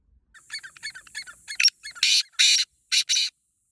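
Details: A wild black francolin (teetar) in Pakistan starts with a rapid series of soft clicking notes that build into loud harsh rasping notes, ending in a grating paired phrase.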